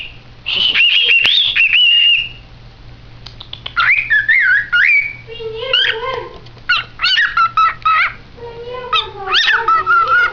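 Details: A pet male cockatiel whistles a varied, warbling song of rising and falling notes, said to be saying his own name.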